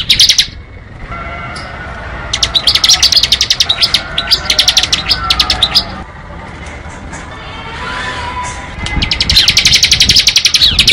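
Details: Ngebren-style song of a bar-winged prinia: repeated bursts of quick, piercing, high chirps with quieter stretches between them, then a long, dense run of rapid notes at the end.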